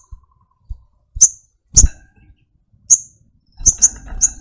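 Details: Brown-throated sunbird (sogok ontong) with a series of clipped, high-pitched chips after a few low taps, ending in a fast run of three chips over faint rustling.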